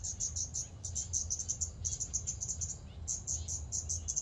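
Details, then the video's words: Scarlet-backed flowerpecker giving sharp, very high, thin ticking notes in quick irregular bursts, pausing briefly near the three-second mark, over a steady low background rumble. "เสียงนกชมภูสวน(กาฝาก) Scarlet-backed Flowerpecker"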